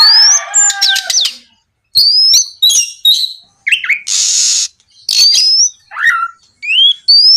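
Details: Night session of gacor Oriental magpie-robin song meant to coax others to reply: clear rising whistles, downward slurs and clicks, with one broad hissing burst in the middle, phrases separated by short pauses.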